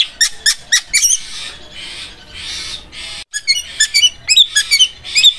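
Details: Long-tailed shrike singing in Armageddon style, sharp and sewing-machine-like: bursts of shrill, high notes at the start and end, separated by a quieter hissing stretch.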